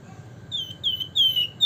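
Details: Wergan jawa, or Javan fulvetta, whistling in nyiul style: three slurred, clear, high notes, each falling slightly in pitch and growing louder in turn.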